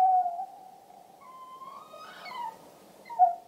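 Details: Tawny owl (Strix aluco) in the British Isles: a drawn-out, wavering mid-pitched hoot, then a sharper rising note and a brief clear hoot closing the few seconds.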